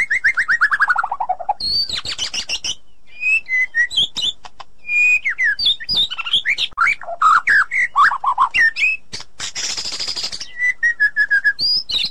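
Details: Female white-rumped shama calling to the male in the wild forest, loud and ringing; a long descending whistled trill opens a fast, varied run of chirps, slurred whistles, harsh rasps and repeated clipped notes.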